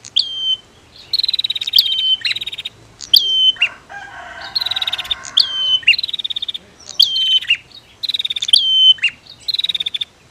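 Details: Female versus male prinia: continuous run of rapid buzzy pulse trains and falling whistles, roughly one phrase per second, interrupted midway by a lower harsh rasping burst.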